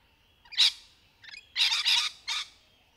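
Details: Rainbow lorikeets playing in trees in the wild, in a recording said to include courtship and mating calls: a series of harsh, broadband screeches, one short burst then a run of three rasping shrieks in quick succession.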